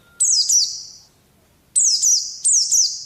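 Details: High, piercing downslurred chirps of an Oriental white-eye, from training audio for kept birds: a pair of ringing notes, a silent gap of about half a second, then three more in close succession, each fading in an echo-like tail.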